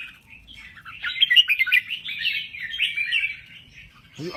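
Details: Red-whiskered bulbul from Thailand giving a softer rambling warble of liquid, whistled notes, swelling in the middle, followed by a low thump at the end.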